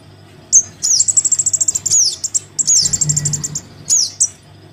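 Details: Crimson sunbird chick calls to its parent as a lure: an opening high squeak, then a long rapid high-pitched chattering trill with downward swoops, another trilled burst and a final squeak, over a soft low hum.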